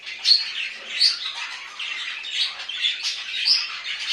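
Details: Budgerigars kept indoors chattering in a quick flow of high scratchy notes punctuated by short, clear whistles.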